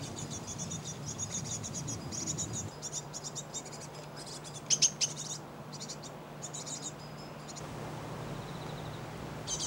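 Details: Great tit collecting food for its young in spring in a garden of a housing estate; repeated short, high, rattling bursts of scratchy notes, broken into groups, over a faint low hum.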